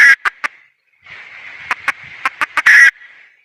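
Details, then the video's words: Female red junglefowl in the wild gives a few sharp clucks, falls silent for a moment, then resumes with a run of faster clucks that ends in a loud, rasping squawk. A clean, quiet recording. "Suab poj qaib qus see zoo heev"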